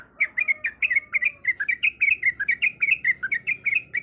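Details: Persistent 'ropelan' chatter from a female yellow-vented bulbul in breeding condition calling a male: a dense run of bubbly warbled chirps, about two per second, continuous throughout, with a brief faint low whistle early on.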